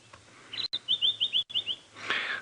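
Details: Male White-browed Scrub Robin calling from the edge of a thicket on a sunset safari drive at Djuma Game Reserve, 26 November 2016: a quick run of about seven short, high, clear whistled notes, then a brief rustling noise.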